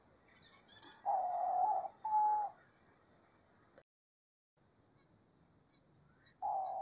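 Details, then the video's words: Diamond dove singing in nature: two soft, tonal, mid-pitched coos in succession, a silent pause, then another coo starting at the end. Faint high chirps of other birds sit above the coos. "CANTO DA ROLINHA DIAMANTE NA NATUREZA"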